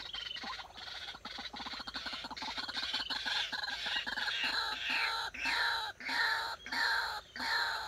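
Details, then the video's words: Decoy White-breasted Waterhen kept for trapping, being trained to call: a fast run of dry ticking pulses gives way to loud, harsh, nasal notes with rich overtones, repeated in a steady series with short gaps. "Dợt chim cuốc mồi"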